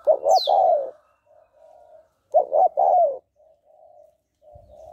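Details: Female spotted dove calling to stimulate males: two loud, throaty cooing phrases of three or four notes, with soft low coos between them and a brief high thin whistle at the start.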